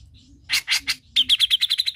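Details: Cucak jenggot song meant to stimulate another bird to sing: three broad harsh notes followed by a quick run of about eight sharp clipped notes.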